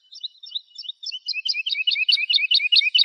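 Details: Lark song recorded for young birds to memorise: a building stream of rapid, jumbled high chirps and trills that grows louder and denser across the phrase without a break.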